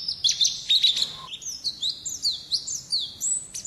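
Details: Pleci, the Oriental white-eye, delivering its 'ngalas' wild-style song: rapid high-pitched chatter of sliding, overlapping notes, a brief lull near the middle, then quick downward-slurred chirps.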